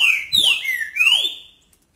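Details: Green-winged saltator from Brazil sings a southern-Brazil "Paraná"-style song, loud and strident with fast short notes. It is one rich whistled phrase of sweeping rising and falling notes lasting about a second and a half, with no other sounds.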